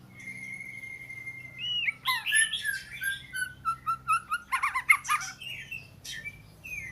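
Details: An Oriental magpie-robin holds one long, steady whistle, then breaks into fast, varied phrases of chirps, trills and harsh notes, a low hum running underneath.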